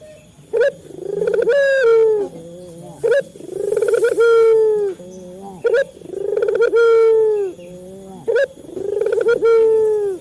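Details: Male local Barbary dove, played to prompt captive doves to call: a short sharp note, a rising trill, then a long drawn-out slightly falling coo. A soft low note follows, and the cycle repeats about every two and a half seconds.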